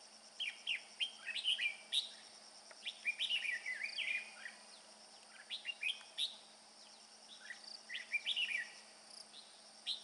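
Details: Red-whiskered bulbul, a male bringing food, delivers repeated clusters of sweet, bubbling whistles with short gaps between them over a steady high-pitched background hum.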